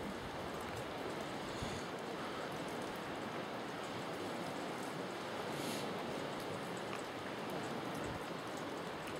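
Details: Steady rushing water or surf fills the recording, with no animal calls audible.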